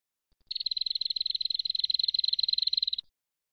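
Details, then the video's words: Lure recording of a prinia pair, male and female, calling noisily: one unbroken burst of rapid, evenly spaced high chips lasting about two and a half seconds, then silence. "SUARA PIKAT BURUNG PRENJAK JANTAN & BETINA RIBUT"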